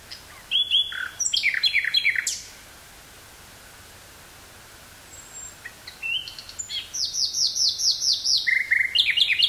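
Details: Wild nightingale in woodland near Burgh-Haamstede, Netherlands, 18 May 1983, cassette recording with a Sony stereo microphone: a fast series of sharp notes, then a silence, then a rising run of throbbing repeated notes that grows louder.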